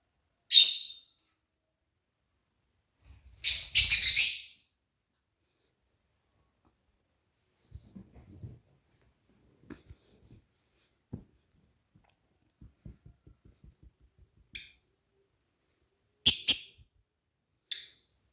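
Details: A cockatiel (Nymphicus hollandicus) gives a few harsh, high screeching calls, widely spaced, with soft knocks between them.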